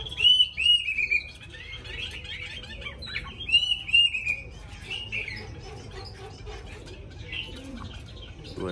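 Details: Hwamei kept in a cage, tame but with a forest-style song, delivering paired bright whistled notes that fall in pitch, repeated a few times, then a quieter run of varied chirps and trills.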